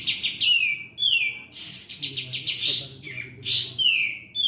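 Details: Sooty-headed bulbul giving a continuous chatter of bright whistled phrases with falling slurs and a couple of loud sharp bursts.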